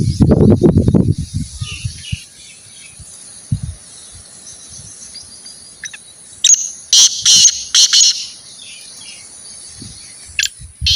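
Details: Partridge in training to call more, giving a series of loud, rasping bursts repeated roughly every half second mid-way, after a brief low voice at the start; quiet background hiss otherwise.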